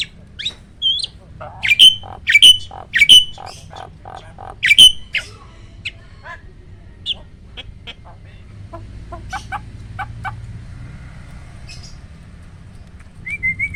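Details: Hybrid of Asian pied and black-winged starlings, dominated by loud pied starling notes, repeats harsh whistled squawks about once a second. These fade into softer clicks and chatter. The bird is a roll tembak vocal tutor.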